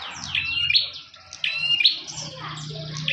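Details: Bar-winged prinia song: sharp, high, buzzy phrases repeated about once a second. A low hum and faint background noise sit underneath.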